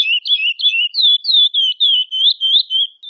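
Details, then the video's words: Female chestnut-bellied seed finch (curió) soliciting mating, calling steadily: about eleven high, slurred chirps in three seconds, each dipping then rising, delivered at a quick even pace against a silent background. "Curió Cantando e Chamando Muito - Fêmea de curió pedindo gala"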